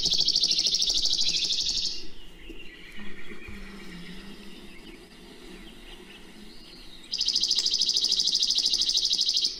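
Two Chipping Sparrow songs, each a dry, flat, mechanical trill of rapid high notes holding one pitch for about two seconds. A man talks quietly between them.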